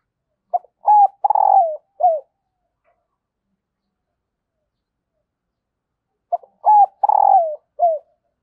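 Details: Spotted dove hen calling to prompt male cooing: two identical phrases about six seconds apart, each a few short clipped coos, a longer swelling coo and a falling final note, in clear silence.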